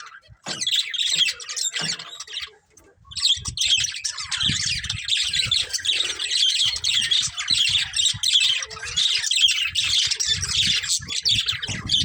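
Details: Colourful budgerigars of a breeding pair chatter for a long stretch, dense grating chirps and squawks after a short early pause, with low knocks beneath.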